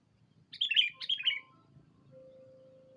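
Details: Sooty-headed bulbul lure call for summoning a rival, two lively bubbly phrases, followed by a steady faint mechanical tone and low hum.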